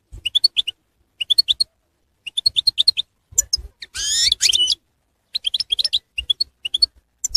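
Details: Goldfinch batbata chatter used to attract wild goldfinches for trapping: repeated bursts of bright, high twittering notes, interrupted near the middle by a loud, harsh, buzzy scraping sound.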